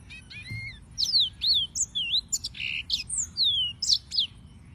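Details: Yellow-fronted canary song opening with soft low whistles, then a busy string of high slurred notes, buzzy segments and quick down-sweeping chirps.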